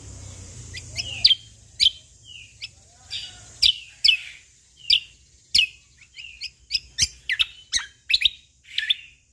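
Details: Cucak kombo Lombok, a Sumatran leafbird, singing natural-style phrases over a faint steady high hiss. Sharp whistled notes with soft slurred whistles between them repeat irregularly and grow quicker toward the end.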